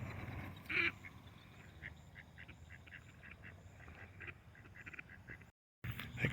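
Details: Duck recorded on 21 March 2024 while lightning flickers in the clouds, flying in and landing close by, giving wheezing, laughing-like quacks. One loud nasal quack is followed by a quick run of short, rasping notes over low background rumble, then a brief dropout.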